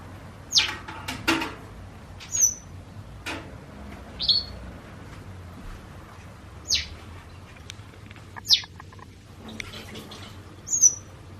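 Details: White wagtails, two birds observed ahead of spring, calling with a series of sharp high chirps and sweeping notes at irregular intervals, mixed with a few clicks and knocks, over low hum.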